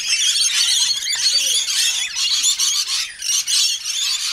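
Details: Wild lorikeets at morning feed time keep up a dense, shrill chatter of overlapping screeches and squeals, harsh and high-pitched, with no pause between birds.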